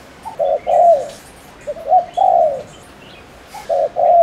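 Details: Captive decoy spotted dove from Ninh Thuận, Vietnam, cooing fast to provoke males: three low cooing phrases, each two short notes then a longer falling coo, repeated about every one and a half seconds.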